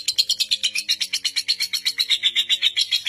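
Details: Lovebird delivering a continuous ngekek trill, from a bird holding the record of seven minutes non-stop and used as a master for young birds; about four harsh high chattering pulses per second, steady and unbroken.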